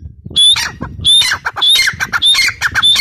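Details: A grey partridge (Perdix perdix, Irani teetar) gives loud, harsh, squeaky calls with a shrill whistled edge, repeated about every half second in an insistent run.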